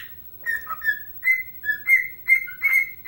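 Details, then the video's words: Pet bird doing its whistled Chelsea Dagger while dancing: loud, pure whistled notes, mostly long held tones with brief lower dips, about seven phrases in three seconds, very little background. "Singing and Dancing Ike Bird"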